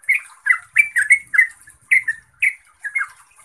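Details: Trucuk, the yellow-vented bulbul, giving gacor song: short, liquid chirps in quick clusters, some notes doubled, spaced by brief gaps.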